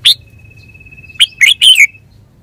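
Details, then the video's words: Red-whiskered bulbul, a kept bird, with a single sharp chirp, then a pause and a rapid three-part warbled phrase, over a faint steady high tone. "นกกรงหัวจุก 424"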